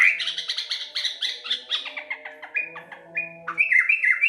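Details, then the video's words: Sooty-headed bulbul of a local strain in busy song, with dense rapid chirps and slurred notes tumbling downward. Bright level whistles and a rising flourish follow, over a faint low hum. "suara burung trucuk lokal gacor"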